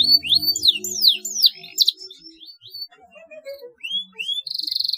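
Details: Canary lure song for canaries that won't sing: varied looping whistled notes and sweeps, a short descending series, two rising whistles, then a fast buzzy high trill.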